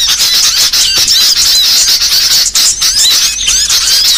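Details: Small songbirds in a mixed recording for training songbirds: a thick wall of shrill chirps and slurred whistles, with short gaps near the middle and end.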